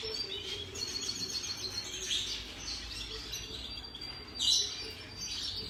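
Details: Turquoise parrot chicks (Neophema pulchella), recorded in 2020: thin, high chirps and short squeaky notes come in scattered bursts, with a louder cluster near the end. Low murmuring background noise runs throughout.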